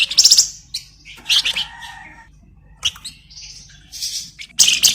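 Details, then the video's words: Flamboyan bird singing vigorously, as used for tutoring magpie-robins: bursts of high, rapid chirps and fast buzzy trills, with short whistled notes between the bursts and quiet gaps. "Flamboyan Gacor Bagus'Buat Masteran Burung Murai"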